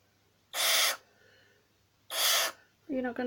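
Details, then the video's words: Barn owl in human care, grumpy while tickled, lets out two long rasping hisses about a second and a half apart, followed by a person speaking softly. "Hooty the Barn Owl getting tickles.... But is grumpy"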